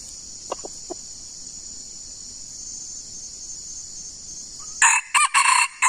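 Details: Junglefowl trapped by luring with a decoy bird, two close by: after quiet insect buzzing and faint ticks, a loud rasping crow bursts in near the end, broken into quick pulses and cut off.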